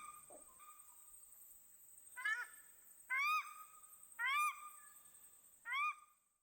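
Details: Newly hatched Paradise shelduck ducklings with their family on a lake, Maungakotukutuku Valley, New Zealand, first afternoon on the water; a quiet start gives way to four loud, clipped, upward-sliding nasal calls spaced roughly a second apart.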